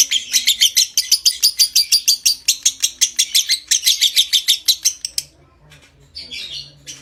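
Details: Konslet lovebird in a long ngekek chatter meant to stimulate breeding condition: a steady, rapid series of piercing, high notes for about five seconds, then fading into softer scattered chirps.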